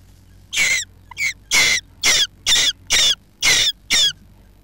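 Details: After a quiet start, jackdaws nesting in a roof space utter eight hoarse, rasping calls at an even pace of a little under two per second, with one shorter, softer call among them.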